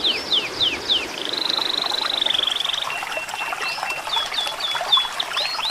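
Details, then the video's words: Bird song meant for training birds during and after moult: a few steep downward whistled notes, a long wavering trill, then a thin level whistle and scattered short upswept chips. "masteran Burung istimewa.Cocok untuk Burung Mabung.&Pasca Mabung"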